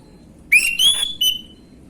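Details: Gamblingan-style song of a young orange-headed thrush, recorded as a lure for other birds: one bright whistled phrase that rises steeply, holds a high level note, then ends with a short falling whistle.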